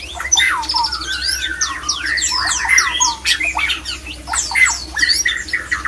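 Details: White-rumped shama male in full mating song, meant to bring other shamas into breeding mood; loud ringing whistles interleaved with rasping squawks and rapid high trills, delivered without pause over a soft hum.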